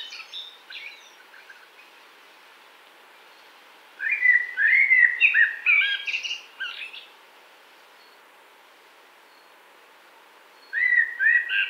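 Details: Common blackbird singing in 2018, Wittlich: separate song phrases with quiet gaps between them; each phrase gives mellow fluting whistles that break into higher twittery notes.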